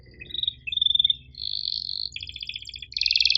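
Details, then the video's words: Canary in long 'gacor' song in the sharp 'cuit ngerol' style: a short high chirp, then held whistled tones, a buzzy pulsed trill and a loud, fast rolling trill, over a faint low hum. "MASTERAN KENARI GACOR PANJANG EPS24 Cuit NgeroL TAJAM"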